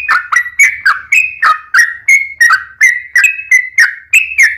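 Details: Lure recording of a sooty-headed bulbul singing to prompt other bulbuls to reply; steady string of bright, slurred whistles with clicky starts, around three notes per second, slight low rumble in the background.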